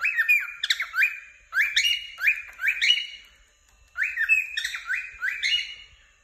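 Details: Two bursts of rapid, rising chirps from a happy cockatiel, each upward-slurred whistle bright and slightly harsh, separated by a quiet second-long pause.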